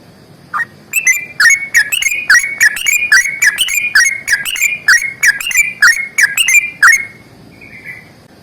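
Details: Sooty-headed bulbul singing a vigorous fighting-style song with long rapid trills. Bubbly whistled phrases, each a sharp upward flick into a warbled note, repeated about three times per second for seven seconds, then a soft trailing whistle.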